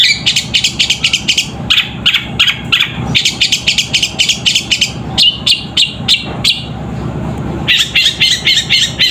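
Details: Long-tailed shrike singing a fighting song that imitates the sooty-headed bulbul; loud rapid bursts of sharp chattering notes, many per second, in phrases broken by brief pauses, close and dominant.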